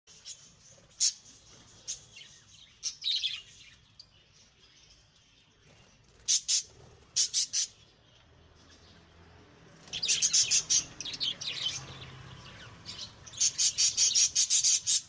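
Budgerigars give sharp, scratchy squawks and chatter in bursts while fighting.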